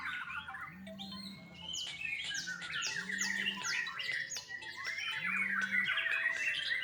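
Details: Young white-rumped shama at a bird farm in Bali, giving a fast stream of sharp downward-swept chips and harsh notes mixed with short whistles, over a low droning hum that comes and goes about three times.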